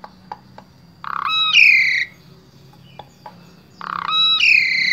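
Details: Asian pied starling from Wonosobo, Central Java, Indonesia, singing as a vocal tutor for other starlings; two loud phrases, each a harsh buzzy burst running into strong stacked whistled notes, separated by quiet clicks.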